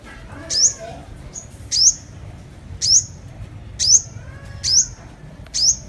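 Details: Sunbird, Vietnamese 'hút mật 5 màu', as a lure recording: sharp, very high chirps with a quick upward sweep, six of them about one second apart over a faint low hum.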